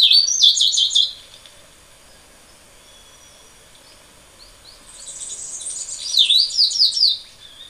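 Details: Tricolored brushfinch (Atlapetes tricolor), an 18 cm bird of Ecuador and Peru, singing: two bursts of high, thin, quick twittering notes, the first about a second long, the second longer, with a quiet pause between.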